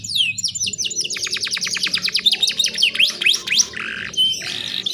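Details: Female canary in heat calling to attract males, mixed with Bar-winged Prinia filler: dense, fast downward-swept notes in a long series, ending in a harsh buzzy burst.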